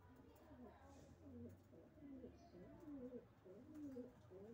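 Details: Racing pigeons giving low, wavering, gurgling coos, phrases swooping up and down about once a second, with a faint murmur of voices in the background.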